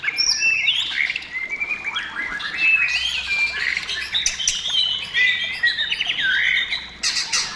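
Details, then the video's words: White-rumped shama song used to lure other shamas into singing: varied loud whistled and chattering phrases, rapid rising and falling notes with harsh squawks mixed in, continuous through the stretch. "SUARA MURAI BATU GACOR MEMANCING MURAI BATU BIAR CEPAT BUNYI DAN GACOR"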